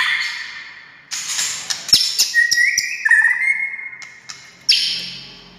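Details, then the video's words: White-rumped shama phrase for stirring quiet shamas into song: a buzzy opening, crackling notes, a long level whistle with slight wavers, then a harsh burst. "SUARA kicau MURAI INI Buat semua jenis murai gacor,buat Murai DIAM Langsung NYAUT"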